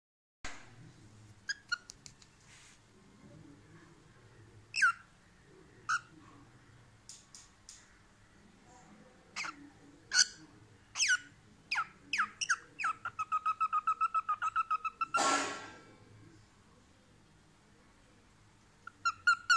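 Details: A pet cockatiel being tamed on someone's lap gives short, sharp chirps and a run of rapid repeated peeps.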